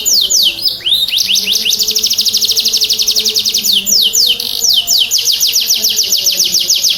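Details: Lively gacor canary singing, offered to prompt stalled, young or stressed canaries to respond: fast, bright trills of high descending whistles, rolled out in long repeated series with brief changes of pace, continuous throughout.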